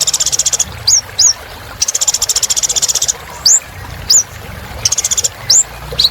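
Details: Vigorous song of a sunbird called kolibri ninja, used as therapy for non-singing birds: three fast, glittering trills of high pulses, each followed by one or two sharply rising whistled notes.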